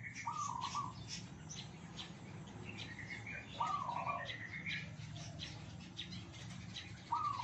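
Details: Tame captive red junglefowl from Sumatra, which crow in turn from 3 a.m. through the afternoon. Three brief, strained crows come several seconds apart, each falling in pitch at the end. Other small birds twitter throughout over a constant low hum.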